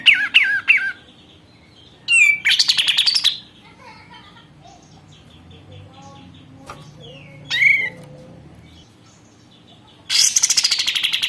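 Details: Sooty-headed bulbul kept and cared for one month, singing actively: short bubbly whistled phrases sliding between low and high notes open the clip, then rapid buzzy pulsed bursts around two, seven and ten seconds, separated by near silence.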